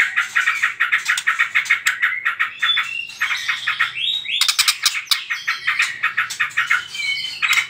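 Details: A white-rumped shama's song, played to provoke other birds into singing: a dense, nonstop stream of varied whistles, rapid chattering trills and harsh notes, with shifting pitch and brief fluty slides between them.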